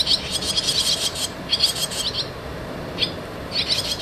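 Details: Young barn swallows at the nest, entering and leaving, produce rapid bursts of high, scratchy chirping separated by brief quiet gaps.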